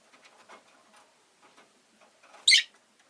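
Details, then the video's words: Rosy-faced lovebird giving a single loud, harsh chirp after soft clicking and pattering sounds. "Lovebird Chirping Sounds"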